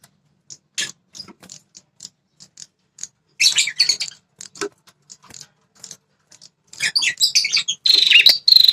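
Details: Repeated dry ticking from a red-headed prinia, used to lure aggressive territorial males, broken by chattering bursts. The clicks end in a loud high buzzy trill.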